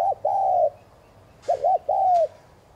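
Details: Close, loud spotted dove coo, a thúc gù recording for stimulating other doves. A phrase ends at the start, then a full one follows: short clipped note, wavering middle note, long smooth falling croon. Two faint clicks are heard.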